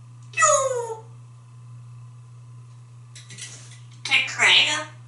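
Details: Pet male African grey parrot indoors in Texas, playing after a shower among mimicked sounds: a descending harmonic squawk-like note, a faint rustle, then a loud harsh garbled chatter, with low hum throughout.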